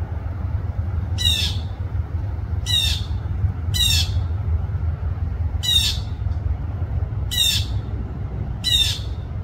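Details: Blue jay in Florida giving six harsh, descending 'jeer' screams, each brief and spaced one to two seconds apart, over a steady low rumble.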